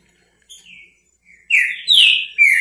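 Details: A Green-winged saltator in the repetidor bico fogo song style gives two faint whistles, then three loud, rich, falling whistled notes in rapid sequence.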